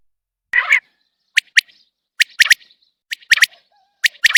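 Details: Uncaged common quail giving one low, growly opening note followed by four crisp phrases of sharp high notes, each phrase a rapid triplet spaced under a second apart.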